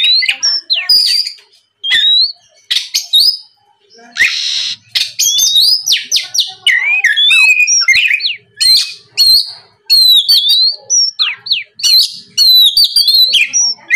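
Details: Oriental magpie-robin song played as a lure for other magpie-robins: long, varied phrases of clear whistles, slurs and chattering notes with short gaps, and a brief harsh buzzy burst near the start.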